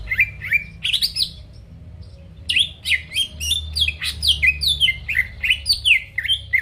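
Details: Greater green leafbird song played to goad rival birds into singing; bursts of bright sliding whistles and scratchy notes, a brief pause near the start, then a rapid, continuous run of varied phrases.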